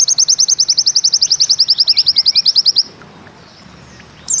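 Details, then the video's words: A steady, very fast trill of high piercing notes from a pleci (white-eye), the bustomi 'nembak ziperrr', running nearly three seconds before stopping, with a brief note at the end. "Bustomi NEmbak Ziperrr Mudah DI Tiru"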